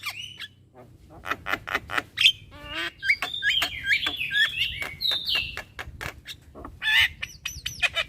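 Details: Nonstop song of a young Javan myna bobbing its head. A dense medley of dry clicks gives way to a tumbling sequence of bright whistled, slurred and warbled phrases, loud and near, with faint low background noise.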